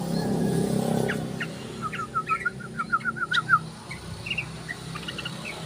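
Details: Yellow-vented bulbul calling as a lure: a rapid string of short, slightly descending chirps in the middle of the clip, then a few scattered higher notes, over low rumbling background noise.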